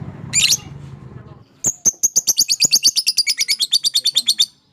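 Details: Fighter-type lovebird giving long chattering (ngekek panjang), used as therapy to stimulate silent lovebirds: a shrill note, then a fast, regular run of about twenty sharp high chips over three seconds, with low background noise beforehand.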